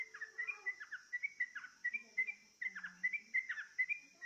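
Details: Yellow-vented bulbul (Pycnonotus goiavier) song, used as a lure to make other bulbuls sing: a quick, bubbly run of short liquid chirps, about two a second, over a steady high insect drone.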